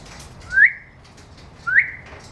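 An African grey parrot gives two clear, upward-sliding whistles about a second apart, imitating bird sounds, over quiet room background.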